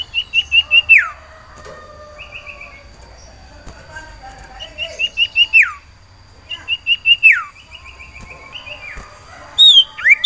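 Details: Caged sirtu iora eager to mate, calling for a female: repeated phrases of rapid whistled pulses, each closing with a sharp descending slur, interspersed with lower chirps and soft twittering.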